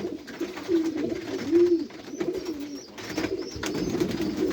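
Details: Pet pigeons giving low, throaty coos. Several rounded, slightly rising and falling notes are repeated through the recording, with faint high chirps from other birds.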